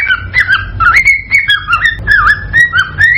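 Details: Cockatiel mating call used to stimulate pairs to breed and lay eggs: loud, continuous whistled warbling with rising and falling notes, short upswept chirps and wavering phrases.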